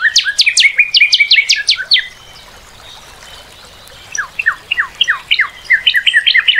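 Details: Song of a Northern cardinal: a rapid series of bright whistles sweeping down, a short silence, then a run of falling slurred notes that quicken into a clipped repeated phrase.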